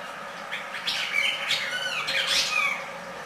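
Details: Red-crested cardinal in song, giving a continuous stream of bright whistled notes and sliding slurs, varied in pitch and delivered quickly for over two seconds.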